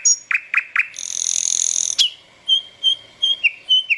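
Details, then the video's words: Bird chirping with a few short rising whistles and a long high buzzy trill lasting about a second. After that come clear thin whistled notes, each spaced a fraction of a second apart, some sliding slightly downward. "পাখির কিচির মিচির শব্দ | Chirping sound of birds"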